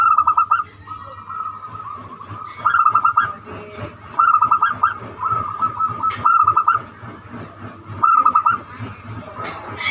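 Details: Banyumili-style zebra dove song, used to lure other birds into singing: rapid rolling coo phrases repeated about every one and a half seconds, each a tight run of pulsed notes, with a constant low drone behind.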